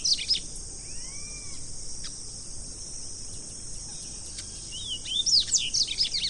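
Double-collared seedeater giving short, sharp, high notes and a pair of slurred whistles, with a burst of quick chips near the end over a steady shrill insect buzz.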